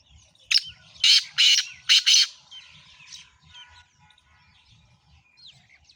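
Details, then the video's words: Black francolin giving a loud, rasping call of five harsh notes in quick succession, the later ones longer, followed by quieter chirps and twitters from other small birds. "kala tetar ki awaz boli"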